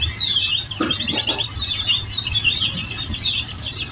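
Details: Oriental white-eye song from a training recording meant to draw a reply from other birds: fast high twittering throughout, broken by two brief clicking knocks near the first second, low hum beneath.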